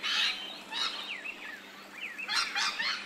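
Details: Australian rainbow lorikeet in ambisonic surround sound: grating screeches at the start and end, with quick thin whistled downslurs in between, all set against steady hiss.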